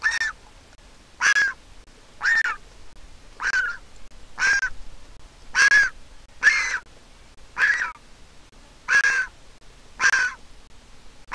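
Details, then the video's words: Nestling Griffon vulture in Israel, hatched 22.4.21 to a handicapped vulture pair, begs for food while its mother arrives to feed it: ten harsh, hoarse squawking calls, roughly one per second, irregularly spaced and fairly even in loudness, with quiet background. "Baby Griffon Vulture begs for food and Mom comes to feed it."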